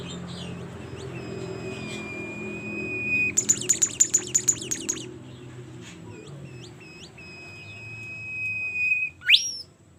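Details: Bimoli bird in full, active song: a sustained high whistle leading into a fast buzzy trill of about eight pulses, then scattered short upward slurs, another long whistle and a sharp rising note at the end.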